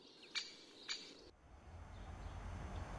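Two sharp, abrupt 'kik' notes from a great spotted woodpecker, about half a second apart, followed by low rumbling wind noise.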